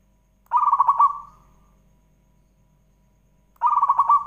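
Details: Rolling, trilled cooing of a zebra dove, sung as a lure to prompt other doves to answer: a burst of quick pulsed notes that fades out, then a long pause before a second burst begins.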